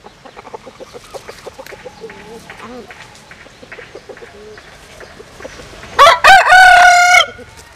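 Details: Crossbred bantam rooster, Japanese bantam hen by Cuban sire, gives a short harmonic crow lasting about a second, a loud burst rising then broken into wavering notes, after a stretch of soft clucking and chirps.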